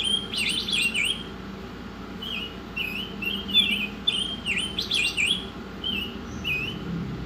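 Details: Oriental magpie-robin song offered as masteran material: clear whistled notes that swoop downward, mixed with short bursts of rapid buzzy rattling trills, over a steady low hum.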